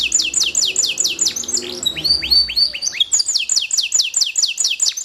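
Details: Canary singing: rapid trills of descending high notes repeated about every quarter second, broken midway by a run of sweeping rising-and-falling whistles, then resuming the fast repeated trill.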